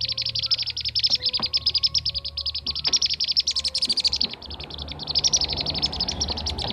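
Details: Blue-tailed bee-eaters, used as a lure recording for attracting birds: rapid, dense runs of high chirping notes, many per second, overlapping as if several birds call together, with a low steady hum and a few clicks beneath.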